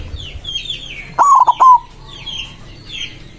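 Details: White zebra dove singing to call rivals: one loud three-part cooing phrase, a rolling note then two clipped pulses ending in a held coo, with small birds chirping faintly in the background.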